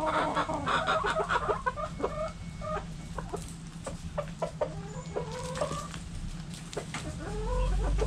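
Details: Backyard chickens, hens and roosters in a chicken coop, a busy overlapping chorus of short clucks and chattering notes, several birds calling at once with steady low hum behind.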